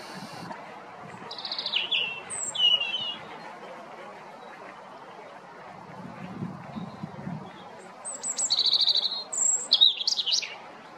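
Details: Robin singing in the afternoon: two bursts of high, thin, varied warbling phrases with sliding whistled notes, separated by a pause of several seconds, over a steady broadband background hiss and faint low murmurs.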